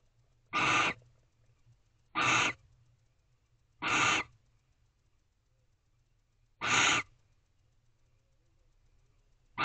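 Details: Female barn owl inside a nest box at 9:25 pm on 16 April 2023, concerned about someone on the box outside: harsh hissing screeches about half a second long, given roughly every one and a half to three seconds.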